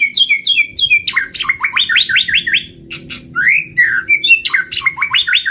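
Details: Lure song of a white-rumped shama: loud, lively series of repeated whistled notes, looping up-and-down slurs and sharp chirps in quick succession.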